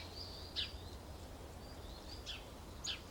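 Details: Short-toed treecreeper pair preparing a nest box with pine needles and twigs, Aleppo pine woodland with kermes oak and mastic near citrus orchards, Alzira, Valencia, 24 February 2016; three thin, very high short notes spaced unevenly over low steady background rumble.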